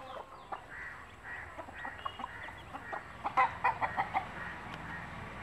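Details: Mother hen of a native country breed calling chicks to food and showing them bits to eat; scattered soft clucks, then a quick cluster of louder, sharp clucks in the middle, over steady background noise.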